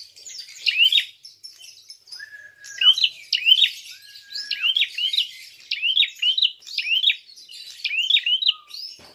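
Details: Prinia giving a fighting call used to provoke other birds: quick chirps with sharp upward hooks in rapid bursts, several notes per burst, over a dense twittering background, with a few low flat whistles in between.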